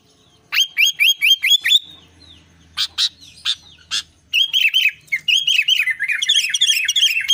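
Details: Albino sooty-headed bulbul singing energetically: a run of six bright, rising-then-falling whistled notes, a pause with a few sharp clicks, then a long fast stream of chattering, tumbling phrases.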